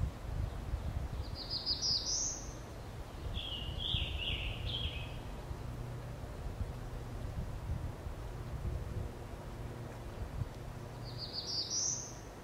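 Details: A first-of-year Eastern Wood-Pewee sings the last notes of its drawn-out song one morning in woodland at Beech Hill Preserve, Rockport, Maine. Three thin, high slurred whistles spaced seconds apart, the middle drooping, over a low rumble; black-throated blue warbler and scarlet tanager are also present.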